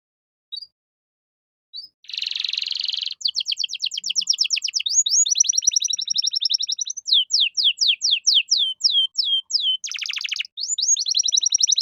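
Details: Canary song for teaching caged songbirds, with luxurious phrasing: after short opening chirps, a buzzy burst leads into long rapid trills and sweeping whistles, another buzzy rattle, then more fast trills.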